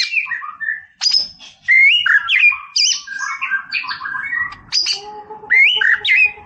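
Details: Caged white-rumped shama singing to provoke a rival, delivering a rich varied run of loud whistles, rising slurs, harsh buzzy bursts and high piercing notes with brief pauses, some low steady tones beneath near the end.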